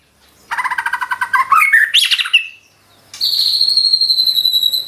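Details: Energetic white-rumped shama song in a showy, full-volume style: a fast rattling run of rapid notes sweeping upward into a harsh burst, then a pause and a long, bright buzzy trill held steady on a high pitch.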